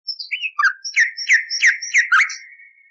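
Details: Common nightingale song from an old recording, cleaned of interference and played for training canaries: a short phrase of clear slurred whistles and sharp descending notes, then rapid repeated strokes, trailing off in a thin fading whistle.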